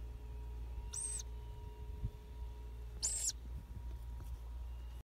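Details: Wild owl chicks peeping, growing used to people and looking sleepy with eyes closed; two short, hissy, high-pitched calls about two seconds apart over a steady low hum.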